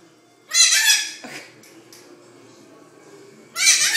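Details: Pet Hahn's macaw on a talkative roll indoors: two loud, harsh, raspy bursts, one near the start lasting under a second and another at the end, separated by a quiet room with faint low murmur.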